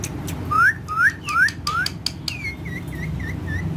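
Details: Pet parrot among other parrots, giving four loud rising whistled notes about half a second apart, followed by a run of five shorter, softer, level chirps; faint background noise.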